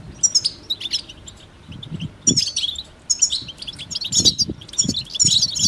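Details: Goldfinch twittering song in quick high bursts, accompanied by soft low thumps and rustling throughout.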